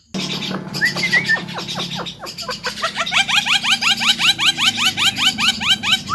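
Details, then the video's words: Javan myna training song, very vocal: a dense stream of quick upswept notes repeated three to four times a second over steady buzzy rattling, with a low hum underneath. "MASTERAN BURUNG JALAK KEBO SUPER GACOR||SEKALI DENGAR LANGSUNG NYAUT"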